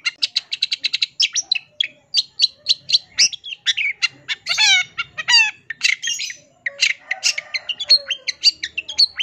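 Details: Long-tailed shrike in full, lively song, used as a master recording to train young shrikes to sing: dense, fast run of varied sharp chirps, harsh squawks and rapid downslurred trills, almost without pause.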